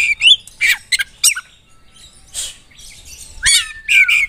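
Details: Oriental magpie-robin singing energetically to provoke rival birds: a fast, varied mix of sharp whistled notes, harsh squawky bursts and chattering phrases in short clusters separated by brief pauses.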